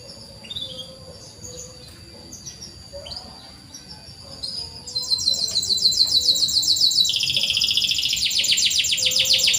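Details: Canary 'cuit cuit' song recorded to coax canaries that rarely sing: faint scattered chirps at first, then a loud, even, rapidly repeated buzzy trill that drops slightly in pitch and continues to the end.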